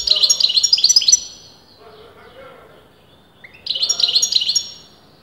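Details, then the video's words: European goldfinch kept by breeders, its sex disputed, singing continuously: two bursts of rapid, bright twittering notes about a second long, separated by a quiet gap with faint low background sounds. "غناء متواصل لمقنين"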